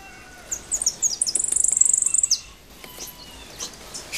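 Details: European goldfinch singing a high, rapid twittering phrase. A few separate chirps build into a dense, fast, slightly buzzy trill lasting about two seconds, followed by a few quick scattered notes over a quiet background.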